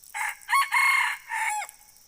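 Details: Red junglefowl crowing: a clipped four-part crow with a short opening note, a loud rising second note, a long held middle section and a falling final syllable, all within about a second and a half, over a steady high insect hum.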